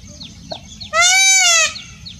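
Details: Indian peacock giving a single loud, nasal, wailing call lasting under a second, a rich harmonic tone that rises slightly then falls, with faint high chirps of small birds before and after.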